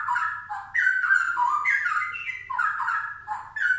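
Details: Straw-headed bulbul pouring out a continuous, liquid warbling song of rapid whistled notes that rise and fall in rolling phrases, loud and clear over a soft low background hum.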